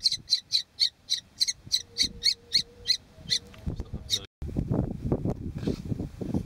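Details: Brood of five kestrel nestlings being ringed at Argaty Red Kites in 2013: a run of harsh, high, rasping notes repeated about three times a second, then handling noise and low rumbling sounds take over.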